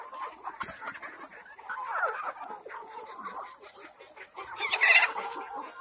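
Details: Organic-farm Kadaknath chickens in Cuttack, Odisha, clucking and calling together in a steady murmur, broken near the end by a sharp, loud crackling burst before the clucking resumes.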